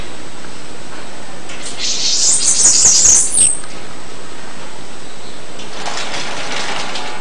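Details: High, sibilant Bananaquit song lasting about two seconds: tightly packed squeaky notes in a buzzy stream, followed by quiet and then a soft rush of noise.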